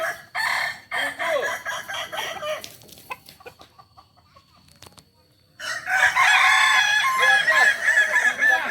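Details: Kokok balenggek roosters gathered for group practice in Solok; overlapping long, tiered crows open the recording, fade into a quiet stretch with faint clicks, then a dense burst of crowing returns after five and a half seconds.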